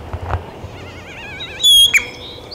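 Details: Great-tailed grackle in Taos, New Mexico, on 17 June 2017: a wavering buzzy rattle at first, then a loud high ringing whistle and a sharp rising note near the end, with light rustling and bumps early on.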